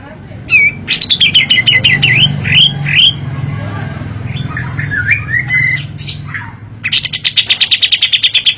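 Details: Cream-vented bulbul song used as a lure for cage birds: bursts of quick descending chirps and twisting whistled notes, ending in a dense rapid series of high repeated tweets, with a low hum behind.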